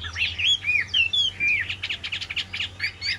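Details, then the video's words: A caged Chinese hwamei, the bird on the right, sings a rapid, varied run of loud whistled slurs and chattering notes, about four phrases a second, over a faint low hum. "Em họa mi bên phải clip"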